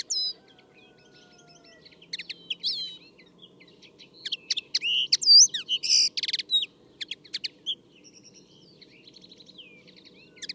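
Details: Common Linnet song: a rapid, varied run of twittering notes, short buzzy trills and clipped chirps, high-pitched and irregular, louder in the middle of the passage, over a faint low hum.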